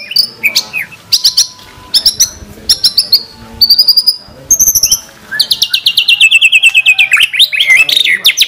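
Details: Murai batu, the White-rumped shama, singing a full 'tembakan' fill used to coax other shamas to sing: quick stuttering note series with varied whistles, ending in a long, dense rattling trill of rapid high notes.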